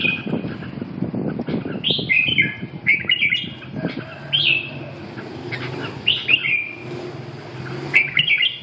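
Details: Red-whiskered bulbul giving short, cheerful phrases that swoop down and up, spaced every second or two. Low rumbling noise is heard at the start.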